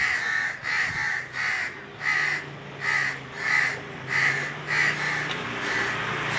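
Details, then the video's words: Around nine coarse caws from Indian crows on top of a tree on a very hot summer day, delivered in a regular run over a faint low hum. "Indian Crows cawing"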